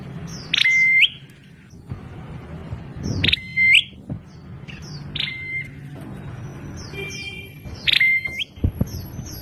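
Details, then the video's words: Prinia with a strange voice repeating bright chirps and steady, level whistled notes, several ending in a flat tone of about half a second, delivered in irregular bursts over faint indoor hum. "Prenjak Klawu Bersuara Aneh..?"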